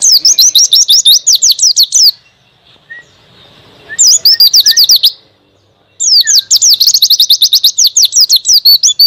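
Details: Energetic white-eye singing in the ngalas style for tutoring use: three bursts of fast, shrill, upward-flicked twittering notes, with quiet gaps holding only scattered faint soft calls.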